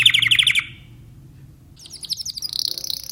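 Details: Short Timbrado canary song: a quick pulsed trill, about a second of near-silence with a low hum, then a high rapid rolling trill building toward the end.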